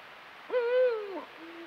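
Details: Eurasian eagle-owl in breeding season, calling on a full-moon night amid courtship and pairing. A single long, rich, harmonic call rises sharply, holds level, then curves downward, followed by a soft, low, steady tone.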